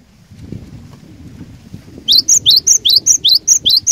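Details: Cinereous tit lure bird singing to draw out competing tits: about two seconds of low background murmur, then a fast steady series of roughly nine paired notes, a high flat whistle alternating with a lower curving note.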